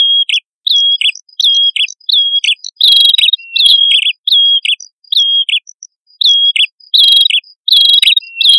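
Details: A prinia pair, male and female, singing busily as a lure for birds: high chirp-and-whistle phrases repeated steadily, with some louder, harsher bursts mixed in and thin ticking notes above.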